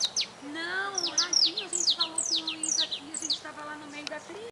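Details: Wild saffron finch song of busy, high, sliding chirps in quick succession, accompanied by a steady low tonal hum running underneath through most of the recording.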